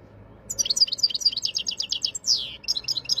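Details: Wild European goldfinch recorded in Jijel in 2023: a quick, twittering run of high tinkling and buzzy notes, a sweeping downward slur, then more bright chattering phrases over faint low background noise.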